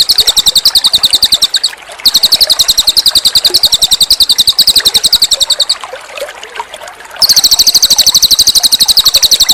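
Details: Cililin bird master recording with pauses and running water: three bursts of fast, bright, high repeated chirps, separated by short gaps where the water's trickle shows through.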